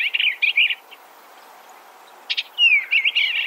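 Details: Eastern Bluebird giving a short burry warble, a long pause, then a sharp chip and another descending slurred phrase of soft, gurgling notes.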